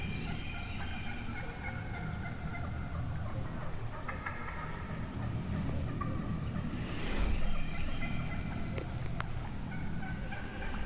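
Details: Wild turkey hens calling within a huge flock one morning in the woods: overlapping nasal yelps and clucks from several birds, stacked in layered tones, with a low rumble of background noise throughout.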